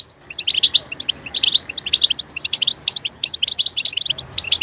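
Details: Short, sharp clusters of tinkling notes from a European goldfinch, repeated in fairly even bursts roughly every half second.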